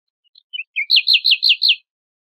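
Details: Nightingale singing: a few soft introductory notes, then five loud, evenly spaced, high downslurred whistles in a rapid repeated series, with no other sounds.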